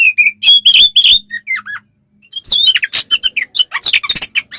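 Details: Oriental magpie-robin (kacer) giving fighting song to provoke other males: whistled phrases and falling slurs, a brief pause, then a harsher stretch of chattering, noisy notes mixed with whistles.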